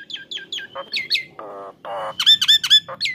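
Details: Actively singing Nias hill myna used to train other songbirds, giving quick descending whistled notes, a long level whistle, two harsh nasal buzzy calls, then a burst of sharp ringing notes.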